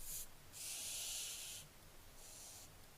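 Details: Barn owlets, 15 July 2024: a short hiss, then a long harsh hiss of about a second, then a softer one, all over steady low background noise.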